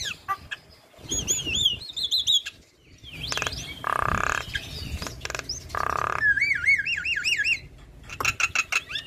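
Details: Female Javan myna, cared for and in lively song, strings together repeated wavy whistles, two long harsh buzzy notes and rapid clicking chatter with brief pauses between phrases.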